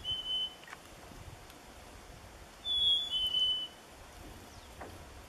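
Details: Chickadee whistling at a Minnesota lake in Nevis on a winter morning at 1 degree: a brief pure note, then after a pause a clear two-note phrase dropping slightly in pitch, against quiet background hiss.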